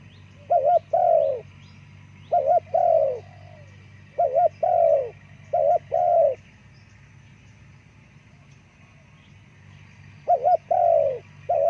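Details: Spotted dove, known locally as terkukur, played to attract forest birds: phrases of two short coos followed by a longer falling coo, repeated about every two seconds with a pause before the last phrase, over a constant low hum.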